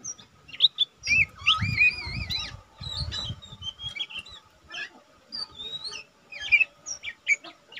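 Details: Young caged lesser green leafbird, recorded as a tutor for other birds, singing busily: wavering warbled whistles, sharp chips and quick slurred phrases, with some low rumbling handling noise in the background.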